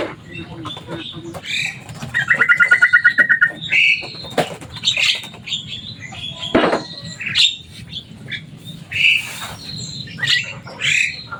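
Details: Captive Javan myna, a loud, noisy pet said to imitate human words, giving a fast rattling run of about fifteen even notes followed by varied squawks, clicks and whistles.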